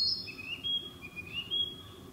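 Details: A Narcissus flycatcher, a summer visitor that breeds in this area, sings in woodland: clear, high whistled phrases that rise and slur, repeated about every second, over a faint low forest hum.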